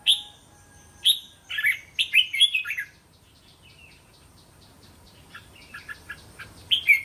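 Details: Red-whiskered bulbul song meant for training young caged birds; a few clear whistled notes, then a short warbled phrase of rapid syllables, followed by quieter scattered chirps and a final brief burst.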